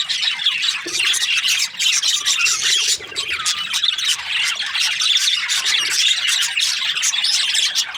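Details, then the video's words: Chirping from budgerigar breeding pairs: a continuous, dense chatter of squawks and warbling notes from many birds, dipping briefly twice. "Budgies parrot chirping sounds | breeding pairs"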